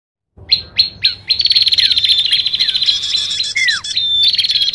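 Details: Bar-winged prinia lure call: three sharp, high, down-slurred chips, then a fast, buzzy, insistent chatter with slurred whistles. Other birds' calls are mixed in.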